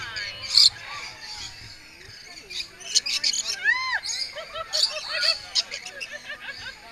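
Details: Lorikeets squabbling while being hand-fed, giving harsh, high screeching bursts that overlap in a noisy jumble, with a woman's voice talking among them.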